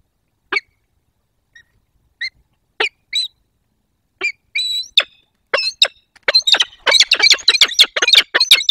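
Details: A peregrine falcon pair meeting at their nest in the Barycz Valley, Poland, on 22 October 2024: sharp, harsh single calls at first, spaced out, then quickening into a rapid, excited series of grating cries.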